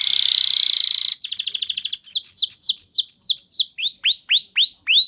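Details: Canary singing a lure song to spur other canaries to sing gacor: a steady high buzzy trill, a faster rattling roll, then slower sweeping descending whistles repeated about three per second.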